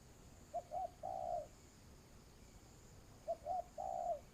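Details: Decoy spotted dove for trapping, uttering two identical phrases of low coos: two quick short hoots then a drawn-out, slightly falling coo, separated by a pause of about two seconds.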